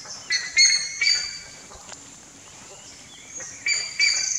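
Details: Buff-necked ibis young in the nest give short, harsh, nasal squeals in separate bursts, two early, one later, and a pair near the end, with quiet gaps between and a soft background hiss.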